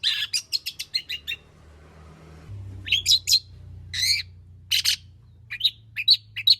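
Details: Long-tailed shrike in active song with plenty of fill-in material, a lure to start other shrikes singing. Fast, varied chattering notes, a quiet gap with low hum, then scattered harsh calls and sharp, high whistled chips.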